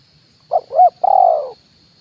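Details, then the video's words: Spotted dove decoy call for luring wild birds, kuk 1 pattern: a short coo, an arched note, then a longer drawn-out falling coo, with a faint steady hiss. "SUARA PANCINGAN BURUNG TEKUKUR,KUK 1 DI RANTING &TANAH"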